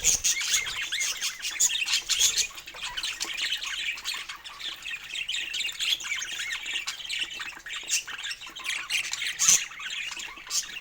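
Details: Several pet budgies call during a morning toy routine indoors. Steady high chattering is broken by louder harsh squawks, with a few bright peaks late in the sequence.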